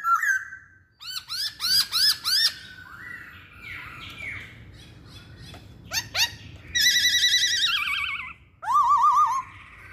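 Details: Masked laughingthrush song: a rich whistle, bursts of fast arched notes, sharp clicks, a long rolling trill, then looping warbled whistles.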